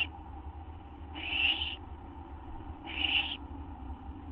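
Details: Owls at the nest just after midnight on 6 September 2011, as a male brings a food item and the female takes it: two harsh, rasping hisses, each lasting about half a second, roughly two seconds apart, over low hum.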